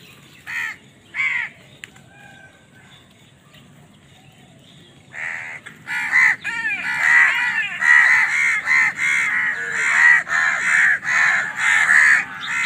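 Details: Crows fighting over food: two isolated harsh caws, a pause, then a dense run of loud overlapping caws from several birds, repeated roughly every half second with little break.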